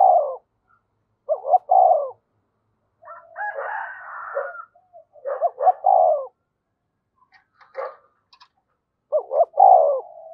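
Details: Spotted dove kept as a decoy, calling: low paired coos repeated several times across ten seconds, with one rougher, noisier burst in between.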